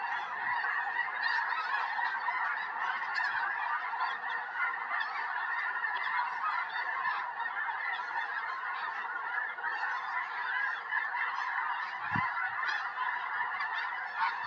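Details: Hundreds of snow geese flying overhead and landing beside a house in Tennessee, January 21, 2026, just before a major snowstorm; sustained wall of honking calls, one low bump near the end.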